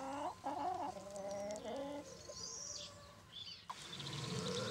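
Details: Brahma chicken: low nasal clucking notes with harmonics early on, followed by fainter higher calls and background noise.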